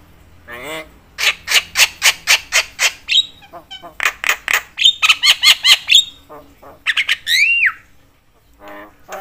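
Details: Chattering Javan myna (jalak kebo), calling so as to stir up other mynas: series of harsh rasping notes in quick runs, mixed with clear whistled slurs and a descending squeal.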